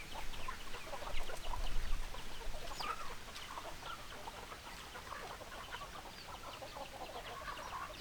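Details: Hens clucking: a busy stream of short, clipped clucks from several birds, densest and loudest in the first three seconds, over a low background rumble.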